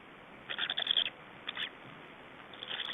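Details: Black storks at an Estonian nest during change-over and feeding, 24 May 2012 around 19:04: rapid high, wheezy chattering bursts, then a short burst and fainter calls, over a hissy background.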